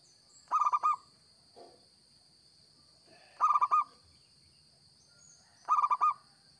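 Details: Zebra dove of the local type, singing actively as a trapping lure, delivers three bouncy phrases of five quick coos, spaced about two and a half seconds apart, with a steady high hum and a faint low thump.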